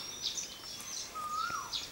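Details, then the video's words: Asian Koel (Eudynamys scolopaceus) in a garden in Thailand, a sound heard every morning: a single clear whistled note rising slightly, with thin high chirps from other small birds around it. "that sound is made by an Asian Koel"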